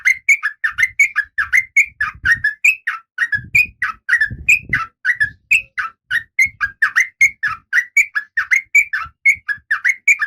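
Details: Oriental magpie-robin female in breeding condition calling to attract a male, kept captive. Continuous rapid sequence of sweet, varied whistled notes, with faint low knocking sounds in the background.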